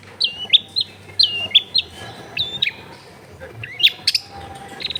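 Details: Long-tailed shrike lure song to prompt reluctant shrikes to sing, recorded in a busy residential area: clear whistles that drop steeply, repeated three times about once a second, then scratchy chatter and a short harsh burst.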